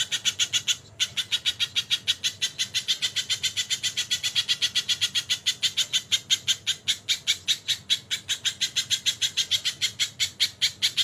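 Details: Tutor recording of an energetic crested jay with kingfisher call fills: a few harsh notes, a brief break just under one second in, then a dense, rattling train of scratchy notes continuing steadily.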